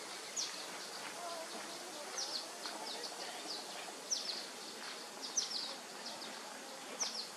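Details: Violet-green swallow fledglings in Lane County, Oregon, on 4 July 2021: thin, high chirps repeated roughly once a second, faint over steady broadband hiss.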